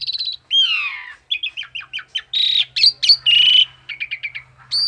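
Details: Semi-mature male Javan pied myna, a local competition-trained songbird, delivering a varied song: rapid chattering note strings, long descending slurred whistles and buzzy harsh bursts, with a steady low hum behind.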